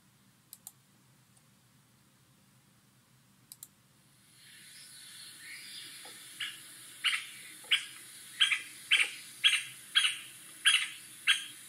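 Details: White-backed woodpecker: after a few faint early clicks and a rising hiss, a series of about ten short, sharp, abrupt calls, repeated roughly every half-second to second, with a steady background hiss.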